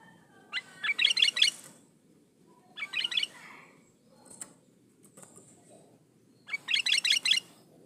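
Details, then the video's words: Sooty-headed bulbul song, used to lure other bulbuls into singing: three bursts of quick bubbly chirped notes climbing and repeating in fast runs, separated by short pauses, over a low background rustle. "Suara burung kutilang gacor"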